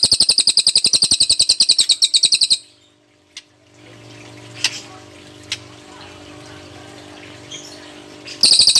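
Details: Cililin delivering a tembakan burst song: a fast, high, chattering trill of evenly spaced sharp notes for over two seconds, then a pause with faint background hiss, and the trill starting again at the end.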